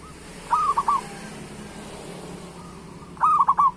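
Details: Zebra dove song used as a prompt for other local doves: two loud rolling cooed phrases about three seconds apart, each a quick burst of three notes, with a faint background hum and hiss between.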